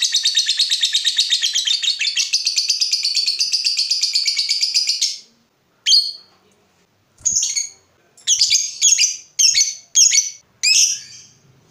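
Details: Lovebird giving a long ngekek trill, used to stimulate other lovebirds to sing: about five seconds of unbroken fast high chattering, then a pause and a handful of separate sharp squeaky calls.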